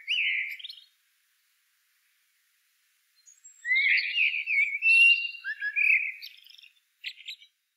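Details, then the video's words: A short warble, a long pause, then an extended, flowing, fluted phrase that ends in a drop and a brief high chatter. "CANTO DO MELRO PRETO"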